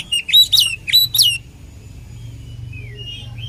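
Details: Oriental magpie-robin combination song used for training other birds: three loud, sharply sweeping whistled phrases in the first second and a half. Faint distant whistles and a low steady hum follow.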